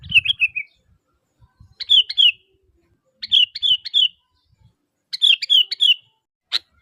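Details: Lively sooty-headed bulbul calling to draw other bulbuls into replying: a string of quick three-note bubbly phrases, each bright and slurred, separated by short pauses. A low thump opens it and a sharp click comes near the end.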